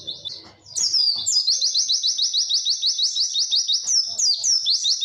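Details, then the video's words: Tutor recording of a white-eye's long, clear 'witwit' song: a few softer notes and a low rumble at first, then a sustained, high, rapid chatter of evenly repeated downslurred notes. "MASTERAN PLECI WITWIT PANJANG DAN JERNIH"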